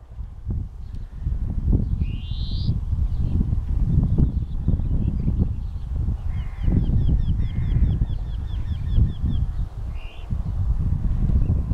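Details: European greenfinch singing: a rising buzzy wheeze, then a run of quick trilled notes and a short buzzy note, heard over strong low rumbling wind noise.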